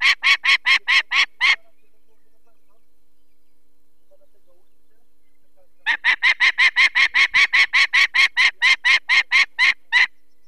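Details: Wild Peregrine falcon at its nest in the Barycz Valley, Poland, on 2 May 2023, raising the alarm as people remove one of its four chicks for eye problems: two bursts of harsh, rapid, evenly repeated kek notes, about seven then eighteen, separated by silence.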